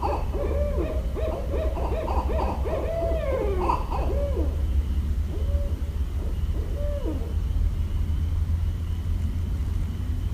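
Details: Barred owl in Westchester, New York, 5.1.17, calls a bubbling sequence of hoots with drawn, bending notes, fading after five seconds into a few spaced hoo-aw phrases over steady low hum.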